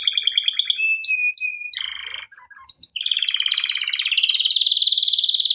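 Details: Song of a male canary used for training: a rolling trill leads into a steady high whistle, then a short buzzy burst and soft chips, ending in a long fast pulsing trill that grows louder.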